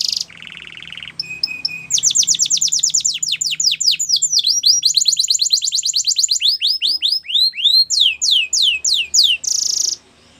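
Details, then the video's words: Yellow canary singing a training song, starting with a buzzy churr and a steady whistle, then long quick trills of sweeping notes that slow near the end before a harsh buzzy burst. "Yellow Canary Singing | The Best Canary Training Song"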